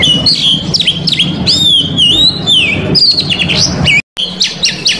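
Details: Oriental magpie-robin in full, varied song used to provoke rival males: clear high whistled glides and quick chip series, about two phrases a second, with a brief cut near the end and a low hum beneath.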